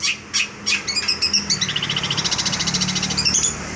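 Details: Long-tailed shrike, a young 'bahan' bird singing 'gacor' with full material: a few spaced high notes give way to a long, fast, pulsing trill that rises and falls, over a low steady hum.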